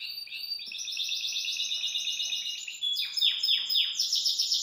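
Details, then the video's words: Belgian canary singing joyfully and hopping in its cage: a long, even, high trill, followed by several swooping descending notes and another bright rapid rolling phrase. "Canário Belga Dá Um Super Show de Canto"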